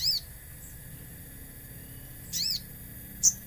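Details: Common iora used as a lure track with nature sounds: two short high arched whistled notes about two seconds apart, plus a brief sharp tick at the end, against a faint low background hum.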